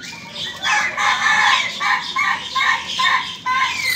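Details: Young ayam ketawa rooster crowing in a rapid, rhythmic run of harmonic, laughing syllables, roughly three per second, rising and falling in loudness, with faint background hiss.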